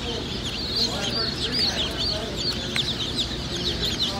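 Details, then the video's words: Easter Egger chicks peeping in a brood, a steady stream of high, thin chirps and short downslurred peeps overlapping almost continuously over a soft background hum. "Easter Egger Chicks"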